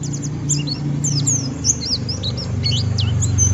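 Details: White-eye ngeriwik song, a rough style used to prompt other white-eyes into singing: scattered high slurred chirps and twittering squeaks above a loud, steady low humming drone.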